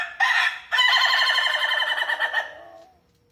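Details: A cockerel crows with a brief harsh opening note followed by one drawn-out, throbbing phrase of about two seconds that fades at the end. Nothing else is audible.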